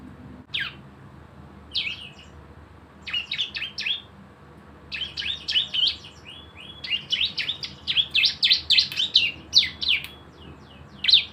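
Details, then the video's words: Javan white-eye giving busy 'gacor' shooting song as a lure to get birds singing: scattered bursts of high chirps grow into a dense, irregular stream of sharp falling notes with a few brief flat whistles. "CISEM GACOR ‼️ SUARA NEMBAK BREN PANCINGAN BIAR BUNYI"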